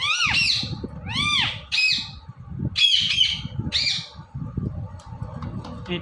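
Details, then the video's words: Indian ringneck parrot, a talking and dancing pet, opens with arched, rasping repeated squawks, then a buzzy screech and a few fainter ticks, amid steady low rumbling noise. "Ringneck Parrot Talking"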